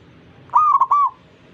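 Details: Zebra dove encouraging fellow zebra doves to sing: one clear, rolling three-part coo, smooth and mellow with tiny gaps, over a low steady background hum.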